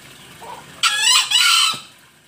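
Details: Green junglefowl, recorded in Bali, gives one short, hoarse two-part crow, a harsh burst then a rasping second note, about a second long against a quiet background; used as a lure call.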